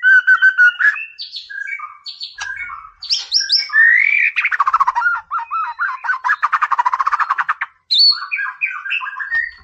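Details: Energetic song of a white-rumped shama, played to raise a rival's aggression: fast repeated whistles, sweeping upslurs, then a long rattling run of quick, buzzy notes before closing whistles.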